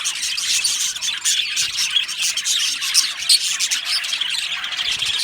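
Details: A colony of happy aviary budgies produces a constant wash of gritty, high warbling and short squawky chirps from many overlapping birds.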